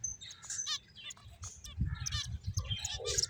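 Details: Finches chirping as they play, a brief burst of quick, high twittering notes and rising chirps from several birds over a low rumble.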